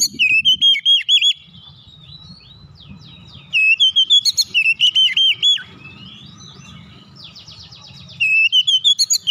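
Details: Basic tight rolling song of an oriental magpie-robin: repeated bursts of fast, looping whistles mixed with scratchy twittering warbles and a brief buzzy trill, over a faint low hum.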